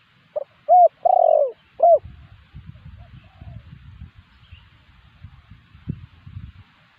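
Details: Spotted dove lure call for attracting wild doves: a short burst of four soft coos at the start, mellow and hooting, followed by quiet background rumble and faint distant noise.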